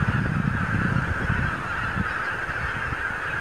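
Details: Thousands of wild geese gathering in the morning on pastures and fields of the Lower Rhine region, recorded with a camcorder: a dense, continuous wall of overlapping nasal honks from the flock, with a low rumbling undertone throughout.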